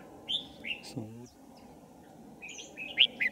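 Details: Red-whiskered bulbul near a bird trap in January 2018: a few brief whistled notes, a short low buzzy sound, then a pause before a quick, rising, bright warble.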